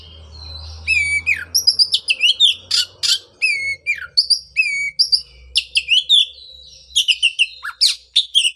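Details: Oriental magpie-robin song meant to prompt a post-moult bird to sing again: repeated downslurred whistles in series, sharp clicks and harsh notes, with faint low hum beneath.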